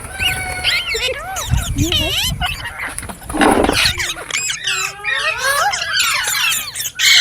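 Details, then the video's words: Green parrots keep up a continuous flow of warbled whistles and rough squawks, including a long wavering call, a brief noisy rush midway, and layered overlapping voices. "Beautiful Green Parrots Talking | Funny Parrot Sounds"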